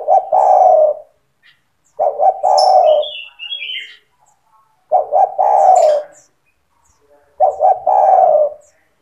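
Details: Steadily singing spotted dove used to coax young doves into song: four low coo phrases, each of quick stuttering notes and a long drawn coo, spaced about two and a half seconds apart, with thin high chirps from other birds between.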